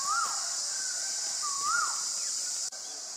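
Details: White-vented myna recorded 25 March 2022 at Ubon Ratchathani, Thailand, giving two arched whistles that slide up and then down, with a flat whistle between them, against constant shrill insect buzzing; a click follows near the end.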